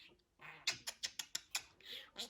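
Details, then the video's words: Pet budgerigar chattering in a speech-like way: a quick run of sharp, clicky, high-pitched syllables with buzzy bursts, ending in a longer hissing warble. "MUHABBET KUŞU | DİNLET KONUŞSUN"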